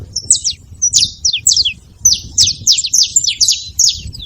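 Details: Saffron finches at a feeder making noise together: quick high sharp chips and short slurred notes, several birds overlapping in a lively twittering stream over soft low background rumble.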